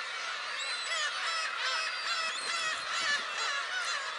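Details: A dense crowd of black-tailed gulls at a shrine, 10 July 2015, with many nasal, mewing calls overlapping almost continuously.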